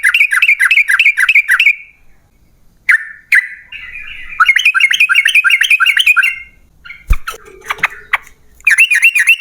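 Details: Yellow-vented bulbul singing a long rapid run of notes, used as a lure to set other bulbuls singing: fast bubbly warbled notes in long bursts broken by short gaps, with a sharp knock partway through.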